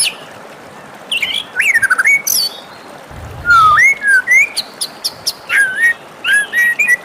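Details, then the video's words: White-rumped shama singing in the morning: rich whistled phrases with swooping, sliding notes and sharp high clicks, separated by short pauses. "suara merdu murai batu di pagi hari"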